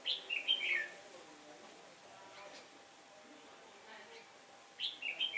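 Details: Red-whiskered bulbul decoy in a trap singing competitively to attract wild birds on a breezy day: a fast phrase of bright slurred chirps, a long quiet gap with faint hum, then the phrase beginning again.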